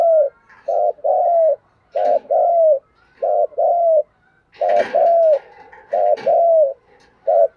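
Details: Rapid, steady 'thúc gù' cooing from a deep-voiced spotted dove used as a lure for wild doves: short note and longer falling note pairs repeat about every second, with a few brief rustling clatters midway.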